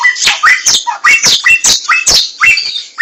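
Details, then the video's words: Wild laughingthrush, known locally as samyong, giving rapid harsh squawky bursts with short rising whistled slurs, about one to two notes per second, loud and close. "SUARA BURUNG SAMYONG DI ALAM LIAR"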